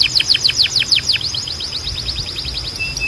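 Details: Canary singing to train other canaries: a fast sequence of sharp downward-sweeping notes slowing into a lighter rapid trill of softer repeated chips, ending with a short flat whistle.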